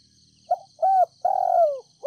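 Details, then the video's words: Lure spotted dove of the Ninh Thuận type calling softly to attract wild doves: a short coo, a rising-falling coo, then a long, slowly descending coo and the start of another, with a constant thin high whine behind. "Cu gáy GÁY GỌI NHẸ NHÀNG kích bổi nhanh nổi, cu gáy mồi đất Ninh Thuận gọi bổi, kích bổi nhanh gáy"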